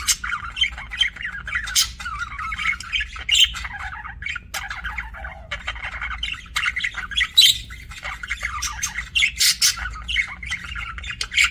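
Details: Budgerigar chirping with ongoing warbling chatter, scratchy trills and repeated sharp squawks over a low steady hum.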